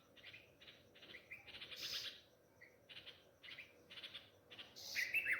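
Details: Nightingale parents at a pomegranate-plant nest beside a house, crying for a chick lost to a cat on its first day out of the nest: clipped harsh chirps in short uneven groups, with a few higher squeaks mixed in.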